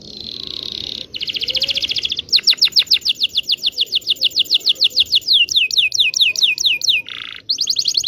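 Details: Local Indonesian canary song used to coax silent canaries and teach young birds to sing: a buzzy trill, then long runs of rapid downward-sweeping whistled notes, ending with a dense rolling trill.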